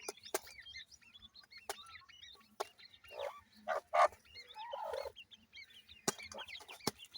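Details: Grey francolin (teetar) chicks producing a chorus of high, upslurred and downslurred peeps. Occasional sharp taps and a few lower, rougher calls sound midway.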